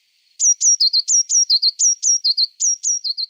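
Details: A Eurasian Blue Tit in a sample recording gives a steady series of bright high notes. Each note is sharply downslurred, alternating with lower twittering double notes. About twelve elements in three seconds, with no background sound.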